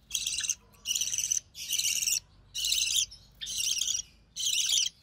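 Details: Recessive pied budgerigar chick, hatched early June 2020, calling while fed by its mother; loud grating, buzzy, high bursts roughly once per second, six in a row.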